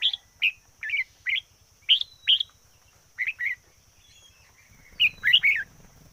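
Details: Red-whiskered bulbul decoy singing a rapid string of short bubbly whistled notes, mostly paired, ending in a tumbling flourish, with regular soft ticking, a high hum and a low rumble near the end.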